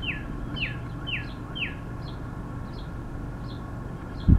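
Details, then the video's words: Male Northern cardinal singing loudly at the top of his lungs, taken as a sign of spring, gives four clear, downslurred whistles about every half second, then fainter high chips, over distant traffic rumble. "The singing Cardinal"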